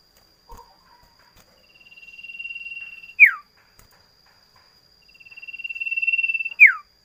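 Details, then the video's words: Sirdum, the common iora, with two long buzzy trills that slowly grow louder over about one and a half seconds, each ending in an abrupt, loud falling whistle. A brief low note opens the clip. "Suara Burung Imut Sirtu / Cipoh / Cito / Sirdum"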